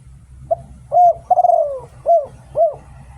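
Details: Spotted dove decoy song recorded in Thailand: a quick soft note, a short coo, a long gently falling coo, then two clipped arched coos in steady rhythm over low background hum.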